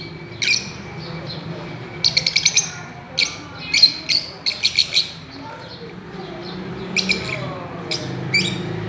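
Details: Fischer's lovebirds playing on a swing, uttering high shrill chirps, one quick run of rapid notes early, then scattered single and paired chirps with quiet gaps.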